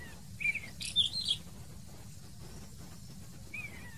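Black wheatear giving a few short, bright chirps in a quick cluster near the start, then a lone thin note, over a steady low background rumble.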